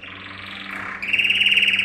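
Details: Yellow canary male in a canary training song: a continuous buzzy rolling trill that shifts pitch, dipping then jumping to a bright sustained rattle, with a low hum behind.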